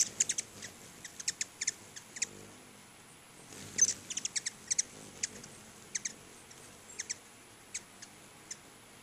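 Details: Hummingbirds crowding two feeders in front of a house give sharp, high chips in quick irregular bursts, some doubled or tripled, with a faint steady high hiss behind.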